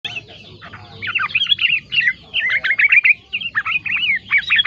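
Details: Yellow-vented bulbul singing a song filled with green leafbird (cicak ijo) material: busy run of chirped, slurred and twisting notes in quick bursts, some rising and falling, with short pauses between phrases.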